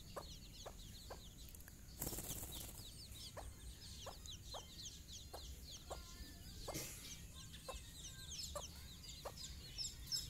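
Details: Mother hen calling her babies on their first morning walk outside: steady short clucks among busy high chick peeps, interrupted by two loud rustling bursts of noise.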